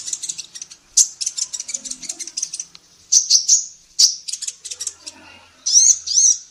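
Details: Female sunbird singing for a songbird tutor recording: dense chattering of sharp high chirps and short trills, pausing briefly, then finishing with two wavering, slurred whistles.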